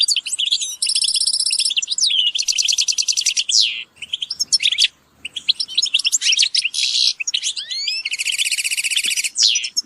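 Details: European goldfinch group calls, played to motivate birds: repeated buzzy trills alternate with quick liquid twittering and rising slurred notes, almost continuous apart from a brief dip around the four-second mark.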